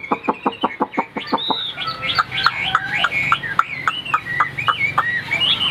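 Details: Singing high in its cage, a white-winged, white-tailed Chinese hwamei opens with about eight quick repeated notes, then varied whistles, slurs and clipped chirps, with a brief laugh and music in the room.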